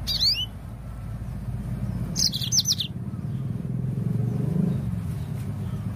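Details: Yellow-fronted canary singing, used as a lure to get birds singing. A clipped opening phrase is followed by one bright burst of rapid high chirps, with constant low background hum and traffic-like noise.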